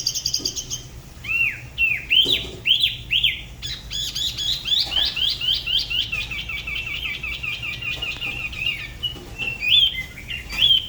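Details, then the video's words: Dalat spot-throated babbler singing solo near the La Ba river, with song unlike babblers elsewhere. Arching whistles repeat three times, then a long quick sequence of clipped notes flows steadily, closing with sweet, looping whistles. "Tiểu mi La Bá hót solo/ Spot-throated Babbler the best solo La Ba river"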